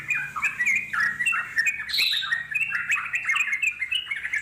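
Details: Wild yellow-vented bulbul in long rolling chatter (ngeropel panjang) for calling wild birds to answer; bubbling slurred notes, with one higher, sharper call standing out near the middle.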